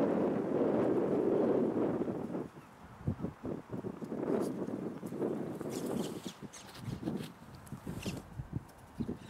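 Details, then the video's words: Carrion crows (Corvus corone) in a park, fed cashew and Brazil nuts, caw harshly and hoarsely, several birds calling in quick, overlapping bursts after a loud, continuous opening outburst. "Feeding Crows, Angry Shouty Shouting Edition"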